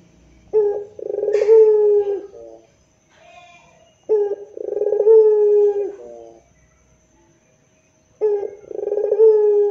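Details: Pelung-type Barbary dove giving its moaning rintihan coo. Three drawn-out, low, even coos with a brief sharp note before each come roughly every four seconds, with quiet pauses between them.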